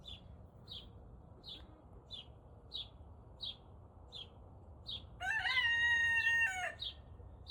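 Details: Young Turken rooster at about 5 am, just learning to crow: one strained, flat, wavering crow lasting about a second and a half. Another bird gives sharp, high chirps about once a second throughout.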